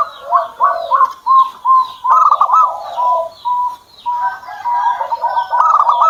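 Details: Zebra dove owned by the keeper giving a busy run of soft coos and quick rolling trills. The notes repeat in short bursts without pause, with faint other bird chirps above.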